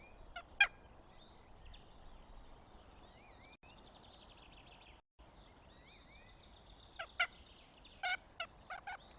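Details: Northern goshawk at its nest in Tartu, Estonia, 26 April 2025, gives harsh, loud, clipped calls: one early, then a short ragged series near the end, with faint thin songbird phrases underneath.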